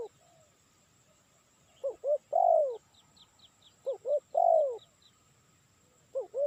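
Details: Spotted dove calling for luring: repeated phrases of two short hooked notes and a long falling coo. A series of thin high chirps from another small bird runs through the middle.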